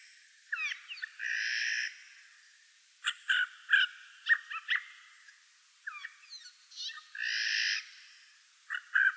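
Eurasian jay giving two long, harsh, rasping screeches, each about a second, with a scatter of short clicking and chattering notes between them.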